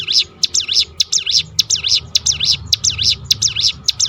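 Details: Hill prinia (ciblek gunung) pouring out its 'tembakan' roll, a lure for other songbirds: continuous rapid, piercing chirps that dip and rise, evenly repeated over a faint low rumble.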